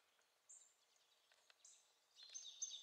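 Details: Eurasian siskins at the top of a pine tree give faint, very high, thin drawn-out notes, then a burst of busier twittering near the end, over a soft outdoor hiss.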